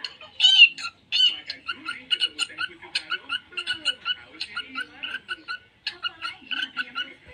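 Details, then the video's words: Budgerigar singing a busy, uneven warble of short buzzy clicks, squeaks and chirps, opening with two loud squeaky notes, then chattering on with brief pauses. "cuki cuki || Parkit Australia"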